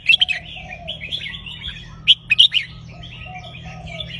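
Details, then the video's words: Red-whiskered bulbul singing in counted-phrase style. Bright whistled phrases come in two bursts, one at the start and one around the two-second mark. Steady warbling from other birds continues underneath, with a low hum in the background. "นกกรงหัวจุกนับดอก วนเพราะๆ หน้าฟัง"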